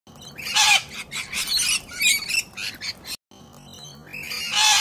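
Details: Corellas on a rainy day, one cranky bird kicking another: harsh, raspy squawks in bursts of about half a second, several in quick succession, then a brief silence and a rising screech at the end.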